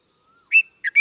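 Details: A red-vented bulbul gives three quick, bright chirps around two to three kilohertz, the last rising and clipped, after a faint thin whistle.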